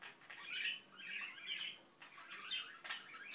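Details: Pet Indian ringneck parakeet mumbling in a small room, giving soft, rambling chatter of scratchy warbles and thin squeaky notes in uneven bursts, rising and falling, with short quiet gaps.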